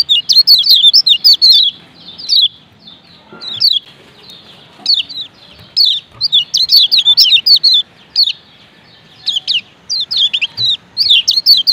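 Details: Lombok lemon-bellied white-eye, a male, in 'ciak ciak' calling: clusters of bright, high, falling chirps fired rapidly, broken by short pauses of about a second, then resuming in fast chattering runs.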